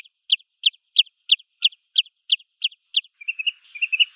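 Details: Wood sandpiper (Tringa glareola) calling: a crisp high note with a soft echo, repeated nine times about every third of a second, ending in a brief quieter warbling twitter.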